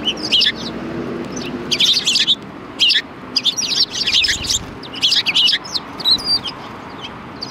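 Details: Busy chattering from sparrows at a Tenmangu shrine, 4 March 2020: dense runs of high, clipped chirps come in repeated bursts, with brief pauses and faint low ambient noise.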